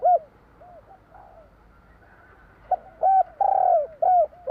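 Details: Spotted dove from Java giving its 'kuk 3' song: scattered soft coos, then a pause before a louder run of hollow notes with a rough, purring middle note, calm quiet setting.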